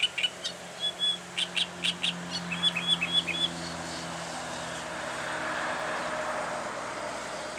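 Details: Reed warbler advertising song, a run of rhythmic chattering notes with a few thin whistled slurs, lasting about three seconds before a passing vehicle rumble takes over.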